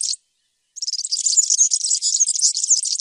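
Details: High, rapid twittering of a European serin: a quick opening fragment, a pause, then a sustained, buzzy, jangling stream of thin notes to the end.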